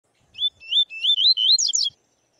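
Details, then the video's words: Double-collared seedeater (Sporophila caerulescens) singing its tui tui zel zel style song: a short slurred whistle, then four rising, sweeping whistled notes, ending in a fast, buzzy, rattling flourish. The whole phrase lasts about a second and a half. No other sounds are heard. "Coleiro pardo cantando muito (Sporophila caerulescens) canto tui tui zel zel!"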